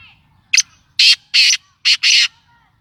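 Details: Kala tetar, or black francolin, calling in a loud, raspy sequence: a brief double note followed by two pairs of long, harsh, broadband bursts at a steady pace, with nothing else audible.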